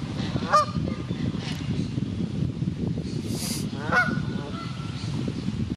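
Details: Canada goose at a wildlife park in Ludwigshafen am Rhein, Germany, after finding its lost goslings: two loud nasal honks about three seconds apart, heard over a heavy, steady low rumbling background.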